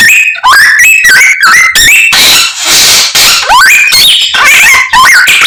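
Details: Common myna pouring out a song that copies many other birds: fast ladders of clear whistles, then a harsh hissing rasp, followed by sweeping upslurred whistles and chattering notes.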